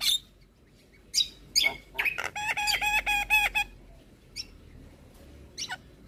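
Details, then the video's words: Javan myna song used as a lure for other starlings, rich in fill-ins: scratchy notes lead into a run of about eight evenly repeated ringing tones, then sparse short calls against a quiet room background. "Semua Burung Jalak Seketika Nyaut Dengar Pancingan Jalak kebo Full Isian Ini"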